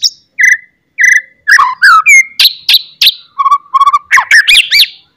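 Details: White-rumped shama singing loudly to provoke other shamas into song: a varied run of sharp whistles, rich buzzy notes and quick slurred phrases, each burst short and separated by brief pauses.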